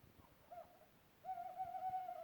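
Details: An owl of unknown species, recorded in Europe, gives a short, low hoot, then a longer, steady, hollow note held for about a second. The background is quiet.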